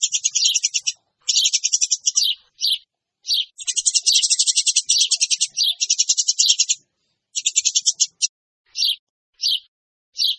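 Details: Noisy lure calling of Eurasian tree sparrows, with fast rattling strings of shrill chirps in uneven bursts, one long unbroken run in the middle, then shorter clusters and isolated chips.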